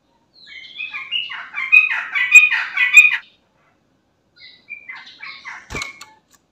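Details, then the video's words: Lively song of a sooty-headed bulbul, used to lure other bulbuls and flocks into replying: two bursts of scratchy, chattering notes with a gap of silence between, ending with a sharp click. "Trucukan Bahan, Ombyokan Langsung Nyaut Dengar Suara Trucukan Gacor ini"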